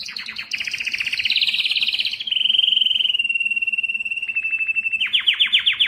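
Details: Canary song for prompting males to sing: a fast rattling trill of repeated notes, a smooth level tour slowly dropping in pitch, then a sequence of sharp, loud descending chips.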